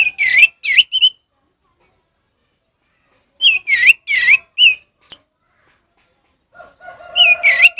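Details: Orange-headed thrush ngeplong song, played to tutor captive thrushes that have stopped singing: bursts of three or four loud, bending whistles separated by long pauses, closing with a harsher, buzzy phrase.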